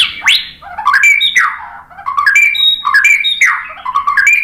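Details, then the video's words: White-rumped shama song, played as a lure to make other birds sing. An upward-sweeping whistle opens, then repeated phrases of clear downslurred whistles mixed with sharp clicks recur roughly every half to one second. "Kicauan MURAI BATU bikin NYAUT ikut BUNYI GACOR BONGKAR MATERI ¦ PANCINGAN MURAI"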